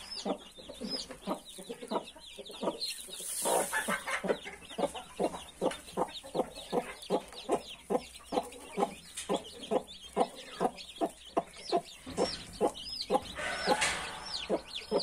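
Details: Mother hen with 31 newly hatched chicks producing a rapid, regular series of short clucks, roughly two or three per second, over constant high chick cheeping and a brief rustle.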